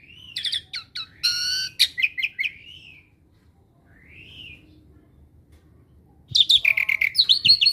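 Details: Asian pied starling kept as a pet and known for copying other birds gives a varied run of clicks, buzzy harmonic notes and slurred whistles, a pause with one soft rising whistle, then a rapid burst of chattering notes.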